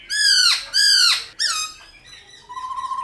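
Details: Black-throated laughingthrush in the wild-style voice, played to stimulate wild-caught birds. Three harsh, nasal squealing notes rich in overtones, followed by a faint low whistle.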